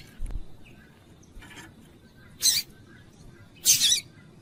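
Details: Calling female double-collared seedeater, used to get a male singing; after a soft low thump and a faint note, two loud harsh chips about a second apart, the second longer and doubled.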